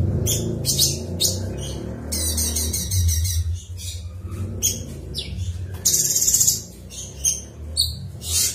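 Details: Cucak cungkok delivering a 'ngebren' song: rapid bursts of shrill chirps, a fast rattling trill and a high whistled note, with background hum.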